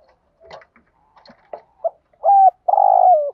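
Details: Decoy spotted dove calling to stimulate a caged male: faint scratchy rustles and clicks, then a short note and a clear coo phrase ending in a long, rolling, slightly falling syllable.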